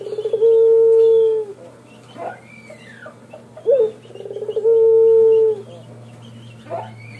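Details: Two long, level coos from a male spotted dove, each preceded by quick stuttered notes, with a short curved note between them. Faint chirps from other birds and a constant low hum sit behind.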